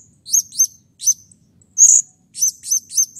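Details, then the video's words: A blue-crowned hanging parrot, used as a lure to make others call, gives shrill, very high chirps, mostly in quick pairs, with one longer, buzzier note midway, in an otherwise quiet background. "SERINDIT GACOR EMOSI"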